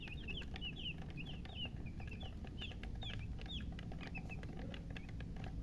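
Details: Newborn chicks call in a busy chorus of high, down-curving peeps, closely spaced and overlapping throughout, with a low droning hum behind them.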